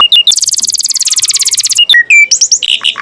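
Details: Master song of a canary, used as a model for other birds: a long, rapid, buzzy trill lasting over a second, then clear separate whistles and slurred warbling phrases.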